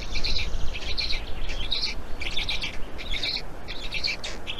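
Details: Black stork at an Estonian nest on 16 May 2019 around 14:01, as the second chick appears; short wheezy, hissing high bursts repeat roughly every half second in a steady run over a low rumbling background.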